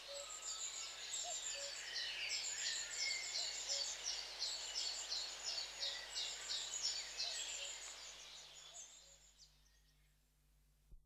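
A flock of long-tailed tits keeps up dense, high, thin twittering and buzzy trills, many overlapping calls each second, fading out toward the end.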